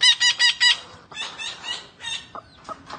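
A green parrot gives four quick, nasal squawks, then runs into a jumble of chattering, speech-like syllables and short clicks.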